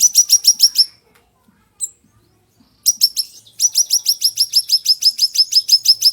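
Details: Ashy tailorbird recorded as a master song for teaching other birds, styled sharp and fiery: a short run of shrill repeated chips, a near-silent gap with one isolated note, then a long steady series of bright high chips.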